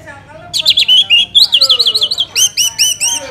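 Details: Orange-headed thrush song used as a lure to make other birds sing: after a quiet start, loud high whistled phrases with rapid zigzag trills, then a run of short, evenly spaced rising chirps near the end.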